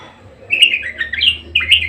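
A budgerigar keeps up a fast, scratchy warble of chirps and squeaky notes, high-pitched and continuous after a brief pause, over a faint low hum.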